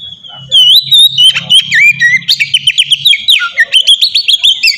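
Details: Oriental magpie-robin giving open, free-flowing 'ngeplong' song as a lure for other magpie-robins to sing; after a soft start, a dense stream of loud whistled slurs and fast trills over a faint low hum.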